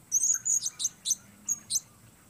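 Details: Blue-crowned hanging parrot, a lone bird, singing in the weather: a series of very high, thin, sharp chirps and short trilled notes, about seven bursts in two seconds, with a faint low hum beneath.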